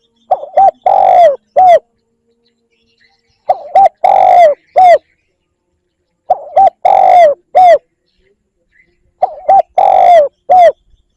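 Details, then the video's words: Spotted dove lure calling. Four matching cooing phrases come roughly every three seconds, each with two short coos, a long drawn coo and a short final note, low and mellow. There is near silence between phrases. "Tiếng chim cu gáy kích bổi"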